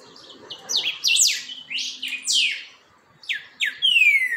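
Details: Creamy-bellied Thrush (chalchalero) steadying its song: loud, clear whistled phrases, each sliding steeply downward, given in quick groups with brief pauses, ending on a long falling whistle; faint low hum beneath.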